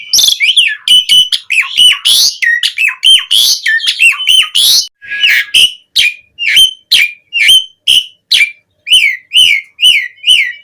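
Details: Javan pied starling singing vigorously with varied fill-in notes, meant as a training lure for other starlings: loud, sharp, ringing chirps repeated about once a second, some harsh and buzzy, with short gaps between the later notes.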